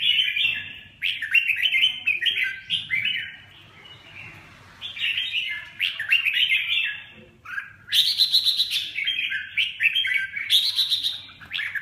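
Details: Red-whiskered bulbul (chào mào) pouring out a dense, continuous warbling song of bright, jumbled notes with short pauses, loud and rapid throughout.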